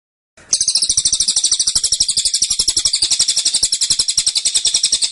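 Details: A kept cililin bursts into dense, insistent tembakan: after a brief quiet start, a sustained, fast-pulsing chatter of high, sharp notes runs on for over four seconds.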